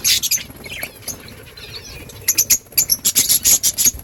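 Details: Budgerigars chirping in an outdoor colony: sharp high chirps in bursts, a quieter warbled stretch, then rapid clustered chirps near the end.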